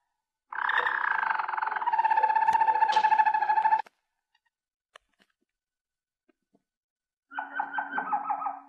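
Harz Roller canary singing a soft, low, unbroken rolling tour for about three seconds, then after a pause a shorter, rapidly pulsing bell-like roll.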